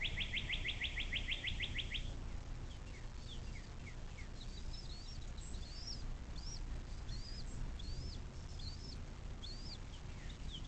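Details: Nest cam recording of a bald eagle beside the Little Miami River near South Lebanon, Ohio, USA, 06.04.2024 at 17:23: two seconds of fast, shrill staccato chittering open the clip, then only sparse high chirps over a low constant hum.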